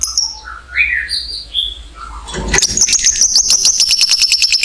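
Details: Lovebird ngekek trill to stimulate other lovebirds: a few scattered squeaky chirps, then a sudden burst into a steady, fast, high-pitched rattling chatter that continues to the end.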